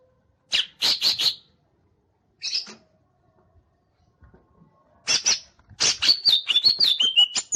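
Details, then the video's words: Green leafbird fanning its tail gives a few sharp, separate chips, falls quiet, then launches into a fast run of chips and high, wavering whistled phrases. "CUCAK IJO MAIN EKOR NGIPAS"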